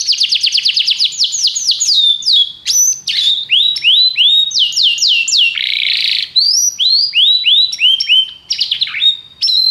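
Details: Canary song meant to train other canaries: rapid descending-sweep trills, upslurred whistles and short buzzy rolls in varied tours, with brief gaps between phrases.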